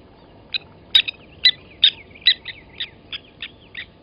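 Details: Blacksmith lapwing calls at Gowrie dam, Djuma Game Reserve, South Africa, morning of 08/29/20, during an adult's killing of a nest chick; hard clinking notes, loud then trailing softer and slightly lower, around two to three per second.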